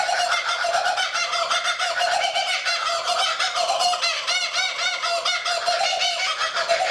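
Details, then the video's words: Kookaburra perched quietly in a lakeside tree in Australia; continuous raucous chuckling, rapid harsh repeated notes with rising and falling hooting phrases, loud and unbroken for the whole stretch. "The Kookaburra - A Sound of Australia"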